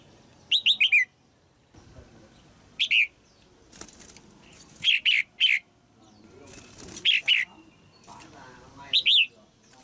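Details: A caged female red-whiskered bulbul sings to stimulate a mature male, repeating short whistled phrases of two to four slurred notes every couple of seconds, amid bursts of wing flapping and rustling.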